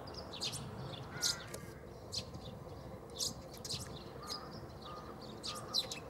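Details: Chirping Eurasian tree sparrow, Bundek, Zagreb, Croatia, 9 March 2015; crisp high chirps about every half second to second, plus a few brief lower tones and constant low ambient noise.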